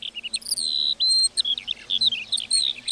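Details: Lark in a meadow delivering a brief burst of song: a sustained high whistle followed by quick bubbling chirps and twittering notes, steady and unbroken.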